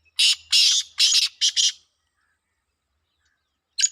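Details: Black francolin in a Pakistani calling competition gives a rapid series of five harsh, buzzy, grating notes, then falls silent before a single clipped note at the end.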